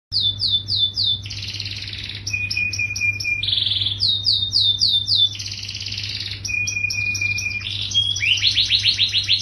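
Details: Yellow canary singing energetically: fast buzzy trills and rolled phrases, short repeated chirps and a flat whistled note, switching every second or two, over a steady low electrical hum.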